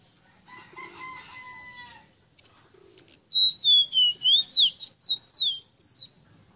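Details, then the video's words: A bird locally called rosita sings: first a few soft, steady held tones, then about nine loud, clear whistled notes, each sliding downward, given in quick succession over three seconds. "EXTRAORDINARIO CANTO DE ESTA AVE ROSITA"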